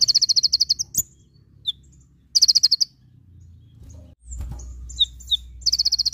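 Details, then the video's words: Javan white-eye singing in the full tembakan style: short, very high, rapid buzzy trills of evenly spaced notes, repeated in bursts about every two seconds, with a few single sharp chirps between them and faint low background rumble. "Masteran konin full tembakan"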